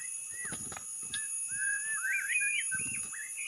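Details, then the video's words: Lure song of a white-rumped shama, starting with soft knocks and a brief whistle, then a run of loud, rising, looping whistled notes climbing higher toward the end, over a constant high hiss. "KUMPULAN Pikat burung murai batu TERBAIK"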